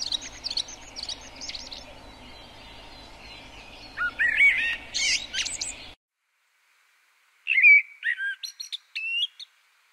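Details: Common blackbird (Turdus merula) song. High squeaky twitters open the clip, then a rich fluted phrase ending in shrill notes is cut off abruptly. After a short silence, a second mellow whistled phrase follows with a high twitter.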